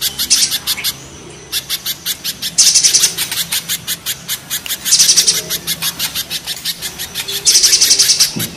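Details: Mountain spiderhunter versus banana spiderhunter in harsh calling: quick, even series of piercing high chips with three louder buzzy rattles and one short silence near the start.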